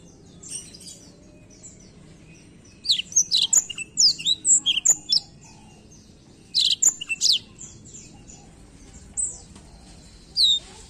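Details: Black-throat singing in separated bouts: clusters of high, sharp downslurred notes and thin whistles, each burst lasting about a second, with quiet pauses between them and a low steady background hum.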